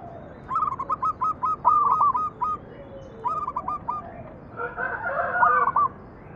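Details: Perkutut, or zebra dove, singing as a lure for other doves: dense runs of rapid, soft, stuttering coo notes in several overlapping phrases, with a rougher burst of mixed cooing near the end.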